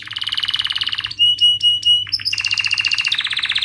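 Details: Singing canary as a teaching lure for young canaries: a dense rattling trill, then several clear, pure whistled notes with short slurs, then another fast rolling trill with a pitch step near the end.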